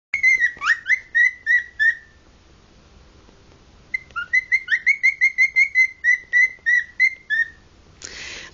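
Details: A very old pet male cockatiel, 16 years old, nearly 17, gives bright, clear whistled notes in two quick runs, each note slightly rising and then falling; he tends to whistle louder when people talk louder.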